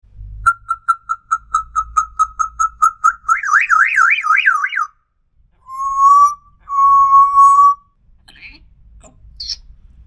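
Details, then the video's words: African grey parrot whistling: a rapid series of short, level whistled notes, then a wavering up-and-down trill, followed by two long steady whistles and a few faint squeaks. "Talking Parrot | Best Talking Parrot | African Grey Parrot"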